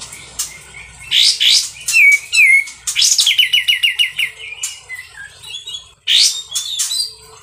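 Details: Sooty-headed bulbul in loud, harsh song: sharp high chips and a sliding whistle, then a quick run of about ten repeated warbled notes, ending in more scratchy bursts.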